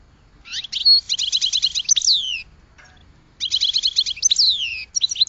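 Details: Goldfinch song in two phrases, each a fast, rattling buzzy trill of high notes finishing in a descending slurred whistle, with a brief quiet gap in between.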